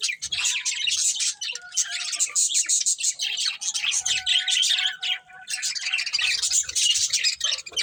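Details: Budgerigar breeding pair in steady, busy warbling chatter, rapid high scratchy chirps mixed with thin whistled tones, running without pause.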